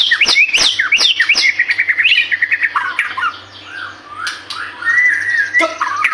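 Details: Vigorous White-rumped shama song to prompt other birds: sharp, clicking high notes and rapid chattering, flowing into softer warbles and a long, wavering whistled phrase.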